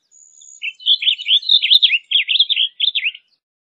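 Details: Blue grosbeak song: a hurried jumble of sweet, slurred whistles rising and dropping, about two and a half seconds long, preceded by a thin faint high tone.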